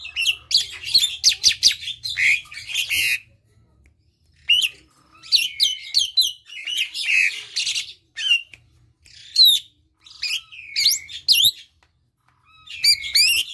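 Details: Asian pied starling singing a rambling medley of harsh squawks, chatter and bright rising whistles in bursts of a second or two between short pauses.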